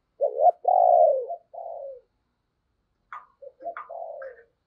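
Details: Decoy spotted dove cooing to lure wild doves: a low, hoarse three-part coo phrase with a long drawn middle note, then a pause and a second phrase opening with brief sharper, higher notes before more low coos.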